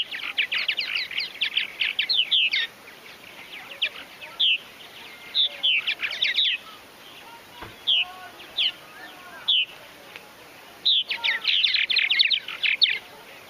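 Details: A large backyard colony of Purple Martins in Finger, Tennessee chatters in dense bursts of gurgling, twittering calls, several birds at once, with brief quiet gaps between flurries, possibly after the birds were spooked.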